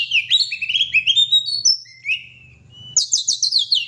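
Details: Oriental magpie-robin (kacer) singing in gacor style: a fast string of bright, sliding whistles and trills, short rising phrases stepping upward, a brief pause near two seconds, then rapid high chattering notes; a low steady hum underneath.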